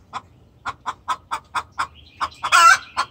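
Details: Agitated hen calling the rooster, a series of regular mid-pitched clucks ending in a loud, rough squawk.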